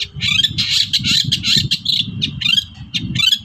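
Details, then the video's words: Long-tailed shrike, a lure recording meant to make sluggish birds sing: harsh, scratchy squawking notes in quick bursts with some downward-sweeping calls, over a steady low rumble. "PANCINGAN BURUNG CENDET"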